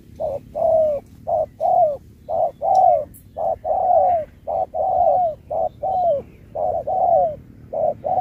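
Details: Spotted dove competing in a 2024 singing match, with Thúc-style song mixed with Bo. A rapid, sustained string of about nine short-long coo pairs with falling tails.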